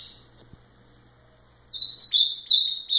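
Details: Short fragment from an ultramarine grosbeak: the tail of a note at the start, quiet pause, then a bright high warbled phrase of quick sliding notes beginning midway.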